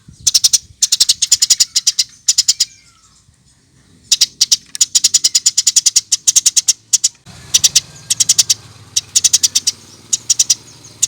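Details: Gacor Eurasian tree sparrow used as masteran material: dense clusters of sharp, high, ticking chirps in quick bursts, a short quiet spell, then more bursts over a low rumbling background.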